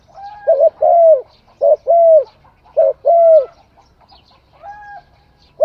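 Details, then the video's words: Spotted dove cooing in steady phrases. Each phrase is a short double note followed by a longer, slightly falling coo, given three times, with soft higher bird whistles in the gaps. "Tiếng chim cu gáy hay"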